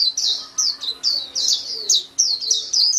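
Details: A white-eye's bright, high twitter: clustered downward-sliding chirps delivered in quick succession with tiny breaks.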